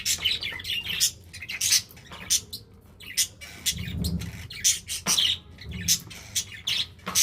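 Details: Pet budgerigars chatter busily, with rapid bursts of scratchy, buzzy chirps and squawks repeating over several seconds and brief pauses between bursts.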